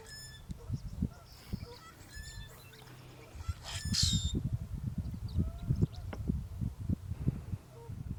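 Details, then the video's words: A Common Grackle, busy foraging, responds to its mate's calls with a harsh grating burst near the middle, plus scattered thin squeaks and short notes over constant low background rumble. "A grackle responding to its mate calling while being very busy at searching for food"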